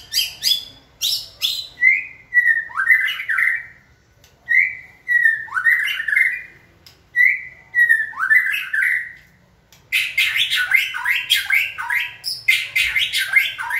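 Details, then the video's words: White-rumped shama in song training, excited into singing by human cues: rising swept whistles repeated about every two seconds, then a dense, fast cascade of varied bright notes. "Kỹ thuật kích thích lửa cho chim hót (shama bird)"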